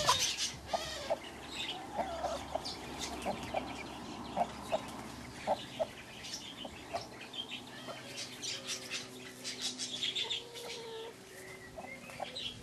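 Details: A broody hen that refuses to give up, giving a steady run of short, low clucks with a few sharper notes, against a busy background of chirping birds.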